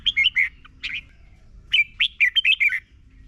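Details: Red-whiskered bulbul, in a recording played to caged birds so they learn its song, sings two bursts of bright, liquid chirping phrases, quick warbled notes rising and falling, separated by a brief pause; nothing else is heard.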